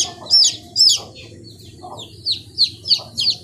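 Chicks give shrill, high, downslurred peeps, about seven in under four seconds, in uneven bursts over a low background hum.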